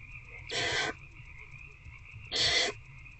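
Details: Two loud breathy hisses, each under half a second, about two seconds apart, from barn owls in a nest box at night on 19 February 2024 while an adult feeds an older owlet; a steady tonal drone continues underneath.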